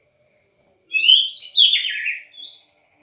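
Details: White-rumped shama, a raw Sangir bird: one rich two-second phrase of high clear whistles flowing into buzzy, sweeping descending notes, ending with a short high note, in a quiet room.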